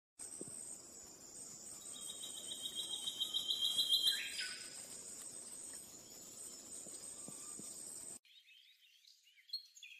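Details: A frilled monarch, a bird endemic to New Guinea, gives a quick, high, even series of ticking notes for about two seconds over a steady high insect drone.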